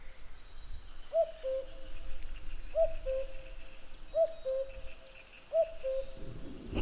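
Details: Common cuckoo singing its two-note cu-coo, a higher note dropping to a lower held one, repeated four times about every 1.4 seconds, with faint high chirps of other birds and low rumble behind.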